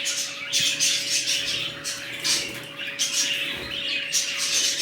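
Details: Budgerigars in a newly set up colony, calling together: dense overlapping squawks and chirps, high-pitched and scratchy, with bursts of louder chatter every second or so; steady mechanical hum in the background.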